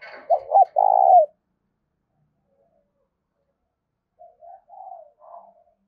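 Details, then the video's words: Spotted dove calling to attract wild doves: a loud phrase of short coos and a long falling note, then after silence a distant, softer series of coos. "Tiếng chim cu gáy gọi và thúc bổi mới nhất hôm nay/ mở lên bổi nghe nhanh về cội"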